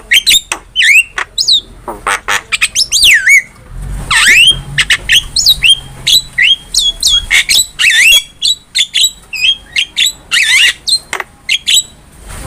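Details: Cage-bird training recording of a Javan myna singing: a dense, varied stream of squawks, sharp chips and rising and falling whistled slurs, with few pauses.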